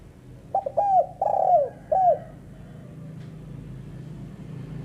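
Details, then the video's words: Female spotted dove's calling sound: a quick burst of clipped notes leads into two drawn-out, falling coos and a final shorter coo. Soft hum follows. "burung tekukur betina"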